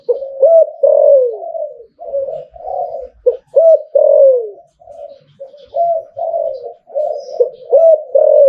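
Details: Zebra dove crowing in the หลิ่วตัน song style: dense, low, purring coo phrases with slurred downward notes, repeated almost without pause for eight seconds, indoors.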